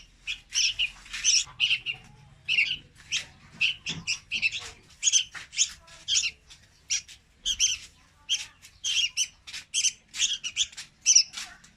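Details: Young red-whiskered bulbul singing, used as a lure for trapping; a steady run of short chirpy notes, roughly two to three per second, each with bright stacked tones, with faint low hum underneath.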